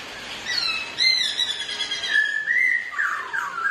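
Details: Black-throated laughingthrush, one of two birds singing against each other while dancing: clear whistled phrases sliding between high and mid pitch, ending in a pair of loud falling slurred notes.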